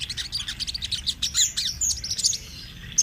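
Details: Sunbird in full rolling song, kept as a training master for young birds: a dense, fast run of thin, very high twittering notes tumbling together, easing off toward the end.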